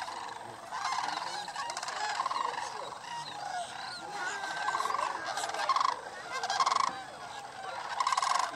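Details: Sandhill cranes massed on North Florida's Paynes Prairie during their annual migration call in a rolling chorus, with loud trilled bugles bursting out roughly every second and a half over the constant background of the flock.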